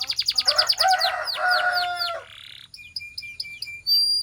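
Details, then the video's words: Canary singing a training song: a fast string of bright notes runs into a loud, rich rolling trill with lower warbling tones, then spaced short chips and a clear, sustained high whistle to finish. "Transform Your Quiet Canary into a Singing Champion!"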